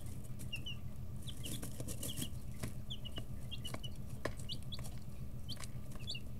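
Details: Brooder chicks aged 11–13 days peep repeatedly in short high notes, some sharply rising, spread across the clip with pecking taps and a low continuous drone beneath.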